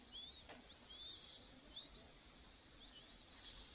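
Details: Chinese hwamei chicks being fed by both parents: clusters of high, thin, down-curving chirps come roughly once a second, with brief hissy bursts between them.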